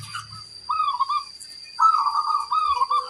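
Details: Local zebra dove (perkutut) singing in a loud, strong-voiced 'kung besar' style: two soft trilled, cooing phrases near the same low pitch, a short one then a longer rolling one, with a steady faint high tone behind.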